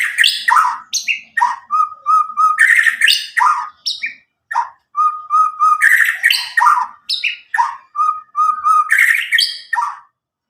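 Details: Loud, clear song of a nine-month-old caged white-rumped shama from Medan, untrained by recordings and used to stimulate young birds to sing; rapid alternation of harsh chips and level whistled trills, phrases repeated about three per second.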